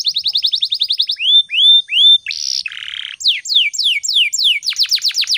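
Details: Vigorous morning canary song for training other birds: a quick trill of short notes, upslurred whistles, a harsh buzzy rattle, then descending slurs and a fast run of sharp falling notes.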